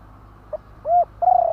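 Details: Spotted dove kept for calling contests in Thailand: a short soft note, a rounded coo, then a longer steady droning coo over low hum.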